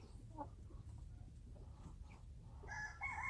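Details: Wild chickens calling: faint, scattered notes early on, then a short, loud, harmonic crowing phrase near the end, set against a steady low rumble and background noise.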